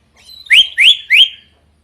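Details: Drongo singing loudly and variably: three quick rising whistled notes in a row, each sliding upward and ending on a thin sustained tone.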